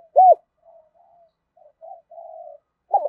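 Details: Spotted dove giving 'thúc gù' urging coos and song, used to train decoy birds: one loud, low arched coo note, a few faint hums, then another arched note starting at the very end; quiet background otherwise.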